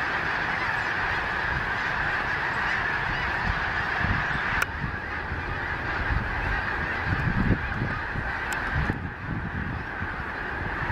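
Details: A huge wintering flock of snow geese takes off all at once, apparently startled, at Gordon's Pond, Cape Henlopen State Park, Delaware, in late December on a grey, overcast day after rain: a dense roar of overlapping nasal honks and yelps over wind-like rushing.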